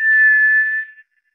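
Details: White's thrush giving a single pure, level whistle that holds steady and fades out after about a second, in otherwise silent surroundings.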